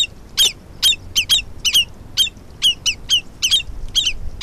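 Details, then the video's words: Common redshanks mobbing a stoat at a wetland in summer 2020 give sharp, high, repeated calls, often doubled, about ten in four seconds at an urgent, uneven pace. "Redshanks mobbing a stoat"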